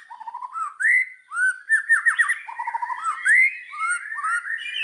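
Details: Indonesian white-rumped shama singing rich, fluid whistled phrases: rising and falling slurs, quick rolling notes and short chattering runs, delivered almost without a break.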